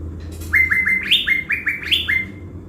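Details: Caged blue-winged leafbird used as a decoy in Bình Thuận, Vietnam. A lively phrase of repeated short whistles, each rising sharply then levelling, alternates between two pitch levels in a bouncy rhythm. Quiet low hum underneath.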